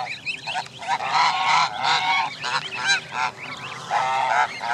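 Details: Canada geese, with many families and goslings gathered at Jess Ranch Lakes Park on May 23, 2014: rapid, overlapping honks and clipped cackles, interspersed with high rising peeps, busy and irregular.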